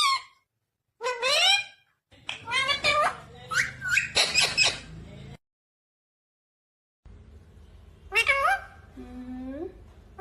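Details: Talking green ringneck parakeet producing varied speech-like bursts, some rising, some falling and nasal, in quick clusters separated by a few seconds of silence, ending with short warbled syllables.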